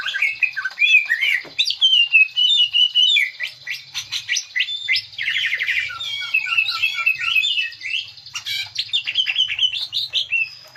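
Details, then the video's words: Green leafbird lure song to draw out song fillers: long, varied stream of whistles, slurs, chatters and short trills with constant changes of phrase. "pancingan burung cucak ijo keluar isian"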